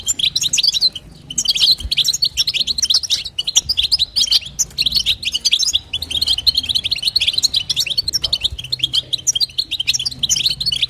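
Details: European goldfinch female twittering to encourage a male to sing, with continuous fast, high, jingling chirps and short trilled notes, accompanied by a faint steady low hum.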